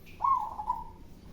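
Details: Local zebra dove singing with a big, loud voice: a single soft, mellow coo that opens with a brief higher note, then trails off.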